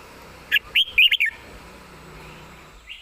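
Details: One quick phrase from a red-whiskered bulbul standing and singing easily: four or five bright, clipped whistled notes tumbling within under a second, then near-silence with a faint note at the end.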